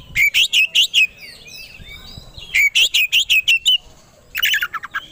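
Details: Oriental magpie-robin (kacer) song provoking emotion and fighting readiness: two runs of about seven evenly repeated loud chirps, then a final harsh burst.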